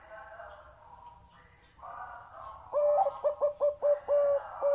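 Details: Zebra dove with a big, deep voice singing: after soft overlapping cooing from other doves, a burst of quick staccato coos rings out, with one brief drawn-out note mid-series, then more clipped notes.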